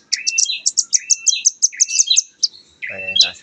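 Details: Young velvet-fronted nuthatch, still small, singing in a rapid 'nembak' style: sharp, very high chipping notes in a fast run, mixed with lower slurred twangy notes, then a brief human voice at the end.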